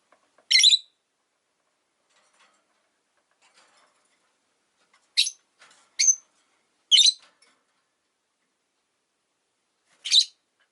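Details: Five pet rosy-faced lovebirds in a cage by a window, calling regardless of winter: scattered sharp, screechy chirps, one near the start, then a cluster of three around the middle and a last one near the end, with quiet gaps between.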